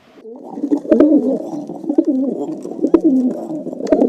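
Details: Pigeon cooing: low, throaty, bubbling coos rolling on in an uneven stream, with a few sharp clicks scattered through.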